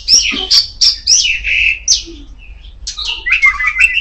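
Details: Kacer poci magpie-robin in strong, loud song: fast, high whistled notes and sharp chirps tumbling one after another, then a pause before rising and falling whistles resume.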